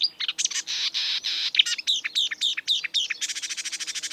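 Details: A wild marsh warbler sings harsh buzzy bursts, then a row of sharp downward-sweeping notes, finishing with a rapid even rattling trill, with a faint low hum behind.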